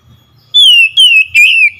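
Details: Oriental magpie-robin lure song meant to provoke a silent bird into singing. Three long, pure whistles slide slowly downward, each with a bright ringing overtone, over a quiet background.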